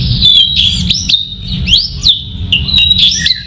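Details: Masked laughingthrush, known locally as poksay Hongkong, singing: a run of clear whistled notes with quick upward and downward slides, delivered in short phrases separated by brief pauses, over a faint low hum.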